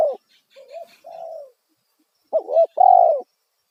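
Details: Spotted dove lure call for attracting wild doves: a soft wavering coo and a level drawn-out coo, then a loud bent double note and a strong long coo, with faint bird twittering early on.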